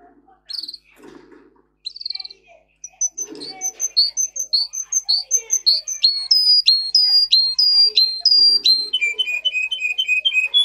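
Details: Russian singer canary bred for song, in a recording made to teach canaries to sing: a few scattered notes and soft rustles, then a building series of high whistled slurs and sharp descending strokes, ending in a lower rapid trill.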